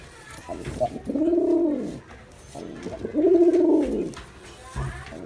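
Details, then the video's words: Male pigeon giving two low, rounded coos, each lasting about a second, with a quiet pause between them and light background noise. "Pigeon Sound Effect (Ultra High Quality) || Male Pigeon Super Performance"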